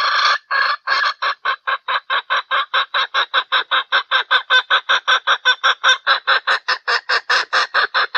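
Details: During mating in valentine season, a hen gives a long fast train of short, hoarse clucks, roughly four per second, keeping an even beat for over eight seconds without a break.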